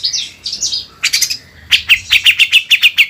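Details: Grey-cheeked bulbul singing a master tutor song: a few sliding whistled phrases, a scratchy burst, then a fast even series of bright chirps, about three per second.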